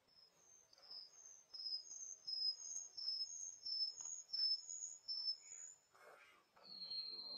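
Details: A Pine Bunting, recorded in Ankara on 3 November 2023, gives a quick series of thin, very high notes alternating between two pitches, closing with a longer, slightly lower drawn-out note.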